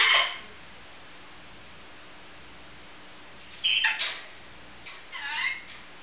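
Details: Pet female grey green olive lorikeet making all sorts of noises: a short harsh screech at the start, then after a pause two brief grating squawks close together, in a quiet room.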